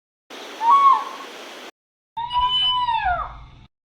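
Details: Devil Bird (Ulama) of Sri Lanka, whose bloodcurdling scream is traditionally taken as a message of death: two drawn-out wailing cries, the second a long, sliding, falling scream, with an abrupt hiss around the first.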